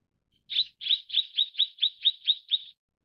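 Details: Mrs. Gould's sunbird, also called tonghuafeng, calling: a rapid series of nine short, sharp chirps, high-pitched and evenly spaced about four per second, each with a slight downward slur, against a silent background.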